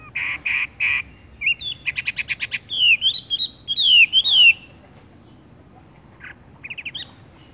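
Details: Horsfield's bush lark, 'tung roll gantung langsung ngerol' rolling song: three buzzy notes, a quick rattling trill, then loud looping whistles; after a quiet spell, a faint short trill. A steady high thin tone runs throughout.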